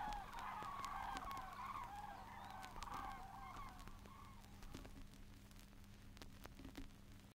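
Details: Many common cranes, in a 1979 field recording from Matsalu, call together in a rolling chorus of trumpeting, overlapping notes that fade after a few seconds, over a steady low hum and clicks.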